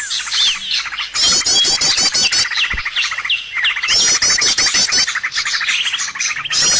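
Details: Bird sounds for luring birds into traps: bursts of rapid high chirps and buzzy trills, several downslurred notes, separated by short lulls and then returning in dense, overlapping waves.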